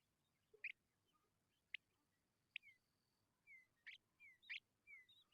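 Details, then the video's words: Hungry Tawny pipit chicks begging: sharp high chirps at irregular intervals, mixed with thin, short downslurred whistles that become more frequent toward the end, over a quiet background. "Tawny pipit bird babies are very hungry"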